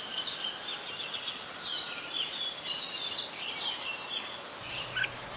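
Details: Red-whiskered bulbul, an adult, Ubon Ratchathani, Thailand, 16 December 2020: continuous chirpy warbling with quick up-and-down whistled notes, ending in a sharper dropping note, under constant broadband hiss.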